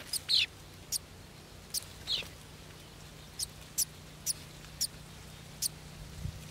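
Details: Baby golden sparrows in anticipation of a feed. A series of sharp, high chirps, a few of them longer and sliding downward, repeat about every half second against a quiet, low hum.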